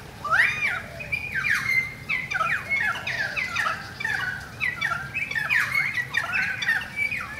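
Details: Currawongs visiting during a rain shower: a continuous run of overlapping squawky, whistled notes that rise and fall in quick succession, several voices crowding together throughout, over a steady soft hiss of rain.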